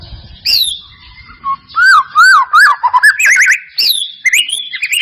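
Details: White-rumped shama used as a lure to spur singing: spaced swooping whistles over faint low rumble, building into a run of looping rising-and-falling whistled notes and high slurs.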